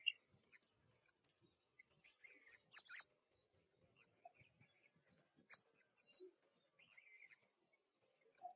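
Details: Spring calling of a black drongo: clipped, high-pitched tweets and doubled metallic notes repeated every second or so, with one harsher, denser burst around the three-second mark and quiet pauses between.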